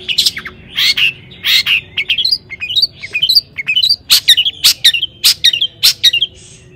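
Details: Lure song of a long-tailed shrike meant to make other shrikes answer, toet toet style. Coarse rasping notes alternate with short upslurred chirps, roughly one every half second, in a choppy rhythm.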